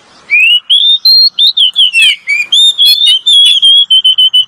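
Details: Male and female Oriental magpie-robin singing as a lure: sequence of bright whistled notes, rising and level, broken by a few harsh scratchy notes, delivered in a steady stream of short phrases.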